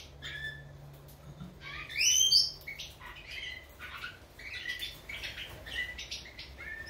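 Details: Goldfinch of the form major singing scattered tinkling notes with one loud rising whistled flourish early on, then a busy run of twittered chirps.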